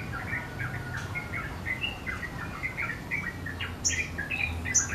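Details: Sogon singing steadily with wings spread in sriganti-style shooting song: a quick run of varied mid-pitched twittering chirps and slurred notes, with sharp high notes at the end.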